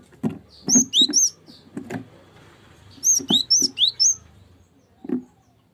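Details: Cinereous tit song used as a lure to prompt other birds to sing: two bursts of high, sharp chirped notes, three to four quick notes each, about two seconds apart, with dull low knocks between them.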